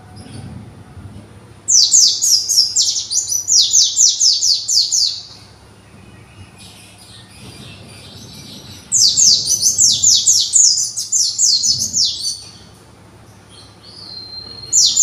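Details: Young white-eye kept for conservation, learning its sound and arranging its song: two bursts of rapid, high, thin descending slurred notes, several per second, with quiet gaps between phrases.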